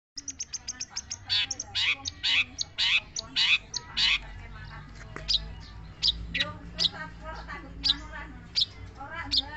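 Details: Long-tailed shrike singing a rapid, varied run of sharp chattering notes and buzzy bursts, loud in the first half and then scattered, over a steady low hum with faint lower warbling behind.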